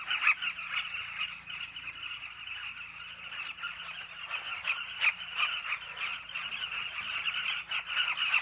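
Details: Many carmine bee-eaters calling together at their cliff colony, a constant chattering wall of short, rough notes with brief louder bursts rising out of the crowd every few seconds.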